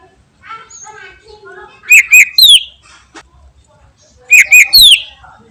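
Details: Cucak ijo, the greater green leafbird, in full song: soft twittering, then a repeated phrase of two quick whistles and a bright downslurred note, heard twice about two seconds apart.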